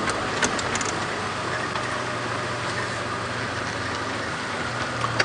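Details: An idling safari vehicle's engine hums steadily during a sunrise drive at 6:30 AM, with a few faint clicks and no animal calls.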